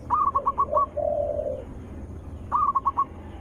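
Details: Zebra dove lure recording, loud and melodious, for calling other zebra doves: two runs of four or five crisp staccato notes, separated by a lower, longer buzzing coo from a second bird.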